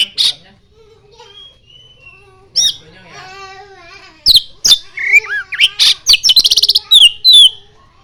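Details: Vigorously singing oriental magpie-robin fanning its tail, its song filled with mimicked common iora phrases: a loud, varied run of sharp whistles, slurred rising and falling notes, and rapid buzzy trills that build into a dense burst toward the end.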